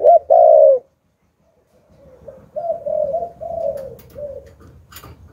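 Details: Spotted dove decoy bird with the 'hạp bổi' voice style, calling to lure wild doves: two loud, low mellow coos open, then after a silence a softer run of three to four hollow coo notes follows, with faint background noise.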